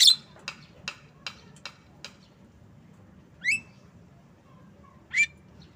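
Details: Javan myna (jalak kebo) making a quick run of six dry clicking ticks, then two louder rising, buzzy notes a second or so apart.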